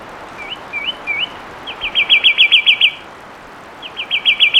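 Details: Loud fulvous wren song: three rising whistled notes, then a fast even trill of about seven notes, a pause, and another trill, all fluid and whistled.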